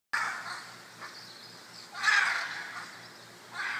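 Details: Scarlet macaws, a group of 14, fussing over a perch in a backyard near Tarcoles, Costa Rica: harsh broadband squawks, one near the start, a louder one at two seconds and another at the end, with quiet gaps.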